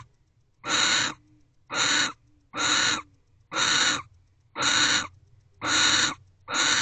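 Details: Barn owl pair in Owl Box C just after midnight, 29 December 2023, during mating as the male moves to the door. Seven loud, breathy screeching hisses recur about once a second, separated by clean silences.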